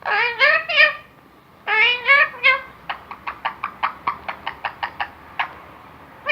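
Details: Talking parrot saying words, including Allah Hoo: two bursts of harmonic, voice-like phrases, then a run of short, sharp clicking or tapping notes at an irregular quick pace, indoors.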